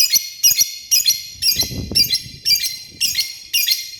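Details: Male lovebird calling the female with eight loud, harsh, high-pitched shrieks, each a short double burst, repeated roughly every half second, with faint low rustling between them.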